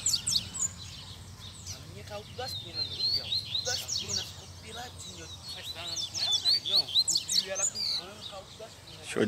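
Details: Caged male Double-collared seedeater taken into the bush, singing a long run of rapid high chirps and slurred whistles, rising and falling in bursts, while men chat close by.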